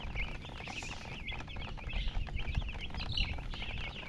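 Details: Several chicken chicks peep constantly, bright short chirps packed closely, some louder single notes standing out, over a low background rumble.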